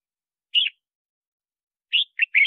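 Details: Red-whiskered bulbul giving a single slurred whistle, then after a pause three bright, warbling notes in quick succession; song used to call wild birds and train singing. Quiet background.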